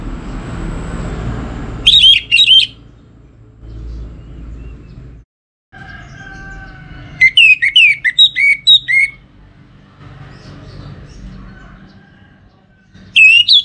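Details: Orange-headed thrush kept for song training, sung as a lure song: loud bursts of clear whistled, warbling phrases, some sliding downward, separated by pauses of several seconds over a low rumbling background hiss.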